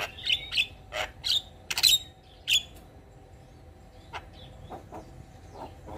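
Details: Javan myna singing gacor with fills: a burst of loud squeaky whistles and harsh rasps in the first two seconds, then only sparse faint clicks over a steady low hum.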